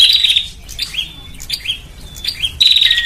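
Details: Bar-winged prinia lure call to bring birds in: a high buzzy trill, then thin whistled slurs spaced by quieter gaps, ending in a loud buzzy phrase that drops to a lower note.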